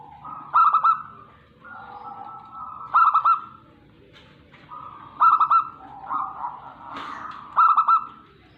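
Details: Zebra dove of a local Tegal strain, Indonesia, repeating short phrases roughly every two and a half seconds. Each phrase is a quick stammer of bright notes followed by a smooth, steady coo, with faint background noise between phrases.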